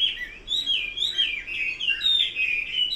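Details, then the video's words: Hwamei song, a steady stream of bright, fast, slurred whistled notes and quick trills, richly varied and unbroken across the whole stretch. "Kicau burung Hua Mei."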